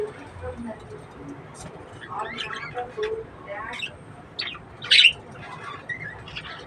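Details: Breeding budgerigars giving scattered short squawks and chirps, with one louder harsh squawk near the end, over steady background noise.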